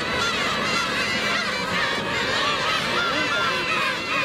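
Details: Black-tailed gull colony during a cruel attack by adults on a chick, recorded on a 4K camcorder: drawn-out mewing calls and short nasal honks overlap densely in a constant chorus.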